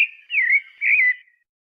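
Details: Pale-breasted thrush giving two clear whistled phrases, each gently wavering and slurring downward, separated by a short gap, with silence after.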